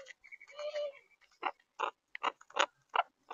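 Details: Monk (Quaker) parakeets in St. Petersburg, Florida: a drawn-out nasal note opens, followed by loud harsh squawks repeated about every third of a second in a rough, scratchy series.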